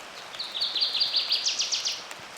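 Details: Northern Waterthrush singing loudly by a river side channel in a spring cottonwood forest along the Clark Fork near Missoula, Montana: a ringing run of sharp, high notes that speeds up and grows more emphatic, over steady rain.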